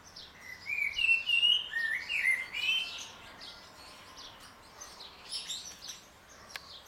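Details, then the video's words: Morning song of a common blackbird in a garden where a returning pair is fed; a rich, mellow warbled phrase over about two seconds, sliding up and down, then fading into soft high twitters and faint background sound. "Κοτσυφός - πρωινό ξύπνημα και φέτος !!!"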